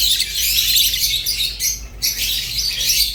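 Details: Pet rosy-faced and Fischer's lovebirds twitter in a shrill, dense rush, with a short break just before the two-second mark before the squeaky chatter resumes.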